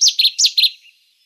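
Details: Cetti's warbler singing a sudden, loud, explosive burst of about four high, sharp notes delivered in under a second, then a faint trailing end, with no other sounds.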